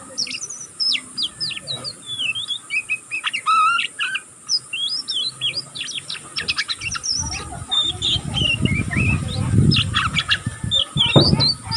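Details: Continuous twittering from a young oriental magpie-robin learning its song: rapid high chirps, buzzy trills and sharp clicks packed tightly together, with a rumbling low noise rising in the later seconds.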